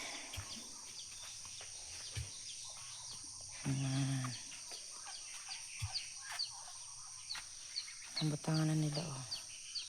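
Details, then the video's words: A wandering goose that has come back home gives two loud, harmonic, nasal honks, each lasting about half a second, around four and nine seconds, over a steady background hiss with faint clicks and knocks. "Nanguli na ang laagan na gansa"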